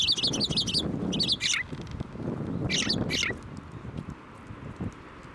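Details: Sparrows flying onto a hand to be fed at a Tenmangu shrine on 7 November 2023. Bright, high, rapid chirps come in quick bursts, with fluttering wingbeats between them and a low background rumble.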